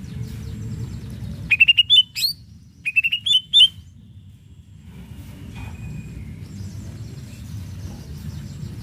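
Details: Song of a greater green leafbird meant to provoke other leafbirds into replying. Two quick runs of bright, slurred whistles rise and fall, with a short harsh note between them, followed by quieter chatter and a low hum.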